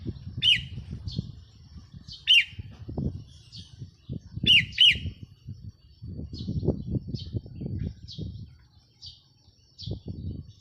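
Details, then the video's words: On 4 May 2023 a decoy red-whiskered bulbul repeats short, emphatic chirped phrases every two seconds or so, including a doubled phrase, between quieter high notes; low-pitched noise rumbles underneath. "เสียงนกต่อ นกกรงหัวจุกแก้มแดง"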